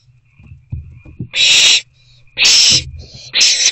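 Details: Owlets in an owl box on an April evening, 21 April 2024 between 9:15 and 9:31 pm, as the parents keep bringing food: three loud, harsh hissing screeches with soft knocks and shuffles between them and a faint steady high tone.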